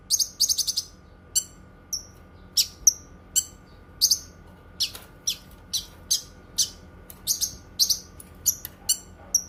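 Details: Cucak kinoi in long varied delivery: short trill at the start, then a steady series of high chips and clear whistles, roughly two per second.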